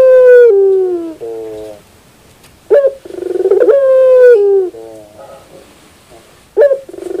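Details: Barbary dove cooing repeatedly: long, low, gently falling notes with short clipped coos after each, a phrase beginning with a sharp attack near three seconds, and another starting at the end.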